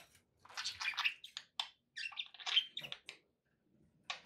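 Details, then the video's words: Pet budgies give a run of quick chirps and buzzy warbled notes, irregular clusters with short silences, ending in a single sharp chirp. "relaxing budgie sounds"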